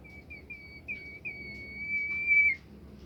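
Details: Bimoli bird song, meant to get other bimoli birds singing: three short whistles, then a long level pure whistle rising in volume over about a second and a half before stopping sharply.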